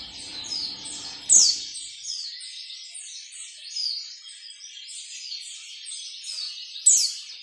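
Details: White-eye ngalas nembak song for training caged birds: a long, fast, high chattering warble of short repeated notes, punctuated by two loud, sharp, falling strokes about five seconds apart.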